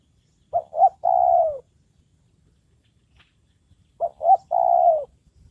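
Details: Spotted dove kept as a trained decoy for luring wild doves, calling regularly; two three-part phrases about three seconds apart, each with two short hoots and a drawn-out falling coo, otherwise quiet.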